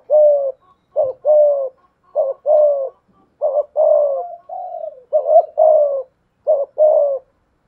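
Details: Decoy spotted dove with a 'thổ pha thúc' voice cooing to challenge a wild dove: low cooing phrases, each a short doubled note followed by a longer, slightly falling coo, repeated about five times in quick succession; no other sounds.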